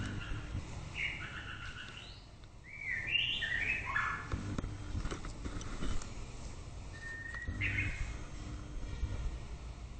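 White-rumped shama giving short, varied whistled phrases that rise and twist, with pauses between them, over a steady low background rumble.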